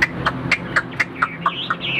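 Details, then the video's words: Tame caged Chinese hwamei offered for sale, singing: short clear whistled notes repeated about four times a second, each with a sharp click, the last ones gliding into a longer rising whistle. "HM 1697 - CHIM THUẦN - HÓT TỐT"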